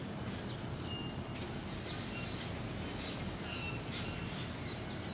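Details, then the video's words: Scattered thin chirps and brief whistles from a few hundred Brewer's blackbirds gathered in creekside trees at Little Fishweir Creek on a November morning, 7:50 am, 2015, set against constant low-pitched traffic-like hum. "Brewer's Blackbirds in Tree"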